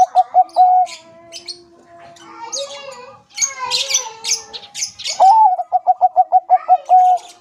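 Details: A lively Bangkok-type zebra dove finishes one song, then sings again: a rising coo followed by a fast run of short, level notes and a held ending. In between, other small birds chirp and twitter busily.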